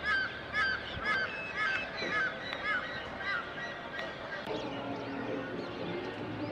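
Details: Birds at sunrise, heard from a terrace in the early morning: clear downslurred whistled notes repeated about twice a second over dense overlapping chatter and a steady hiss.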